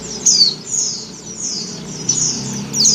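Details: Female Oriental white-eye in breeding condition calling to the male: thin, high chirps sliding downward, a few spaced notes with fainter twittering between, over a low background hum.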